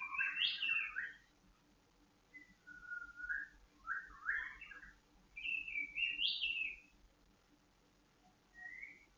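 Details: Bursts of rich whistling from a kept white-rumped shama during dew airing for emotional stability and breeding condition: loud warbled opening, lower slurred notes, then rising phrases and a lone soft whistle after a pause.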